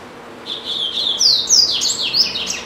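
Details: A household double-collared seedeater, described as singing a lot, runs a lively high warble that starts with steady buzzy notes and builds into quick, loud, zigzagging whistled slurs lasting about two seconds.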